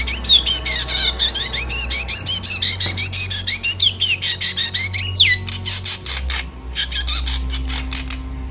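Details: Javan black drongo in emotional chattering song, played to lure moulting birds: long, dense stream of scratchy, rising and falling squawks, nearly three a second, turning to sharper clipped notes toward the end, steady hum behind.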